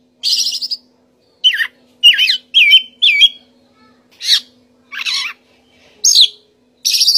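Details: Song of an Oriental magpie-robin, known as kacer: loud rich whistles that curl down and up, a harsh rattled phrase and high sharp notes, delivered in spaced bursts over a faint steady hum.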